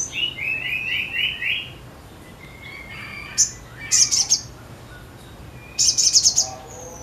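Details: Sogon in energetic song (gacor): a run of short slurred mid-pitched whistles, then thin notes and two bursts of rapid high chipping.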